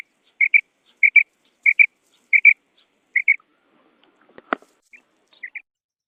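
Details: Female quail calling in the Bedana Sayrashi hunting style: five loud paired whistled notes, regularly spaced about 0.7 seconds apart, then a sharp click. One softer pair follows after a pause.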